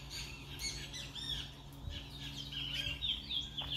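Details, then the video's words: Chestnut-bellied seed finch, the brown towa towa of Guyana, delivering a busy, fast run of thin whistles and slurred twitters at moderate volume, with a low background hum throughout. "brown towa towa bird"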